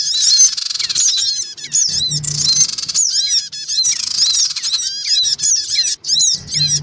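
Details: Loud black-winged cuckooshrike lure track mixing male, female and young birds: continuous scratchy, hissing squawks overlaid with sharp slurred chirps and quick chatter, with only brief breaks.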